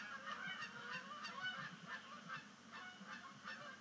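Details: Canada geese landing on Sapsucker Woods Pond at sunset, 10 5 2019, the year's first migration splashdown; rapid honks about two per second, strident and nasal, from a busy flock.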